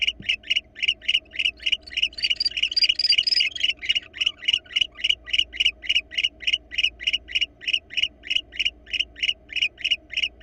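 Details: Nest-box cam in Florida with a visiting wild barn owl pair. Quick repeated hoarse notes continue steadily; around the third second a louder, brighter, hissy passage overlaps them before the even rhythm resumes.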